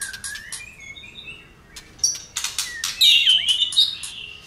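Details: White-rumped shama, excited and tail-flicking, opens with soft low whistles and clicks, then bursts into loud bright trilled whistling phrases in the second half.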